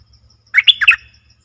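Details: Streak-eared Bulbul, dated 20 March 2022, sings a single quick phrase of four chirpy, warbling notes, rising then falling, against a quiet background with light ticking.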